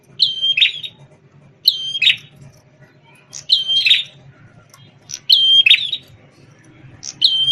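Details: Prinia called prenjak tamu, red-headed and praised as a champion singer, formerly a tutor for white-rumped shama training, repeats a high whistle ending in a buzzy rattle about every one and a half seconds; faint low hum beneath.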